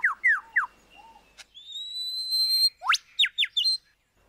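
A lyrebird runs through mimicked phrases: quick descending whistles, a long pure rising tone, then sharp upward sweeps and short piping notes.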